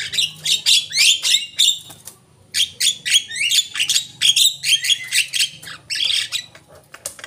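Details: Javan myna lure call: rapid series of harsh, rasping, descending chattering notes, grouped in bursts with a short pause, about three to four notes a second.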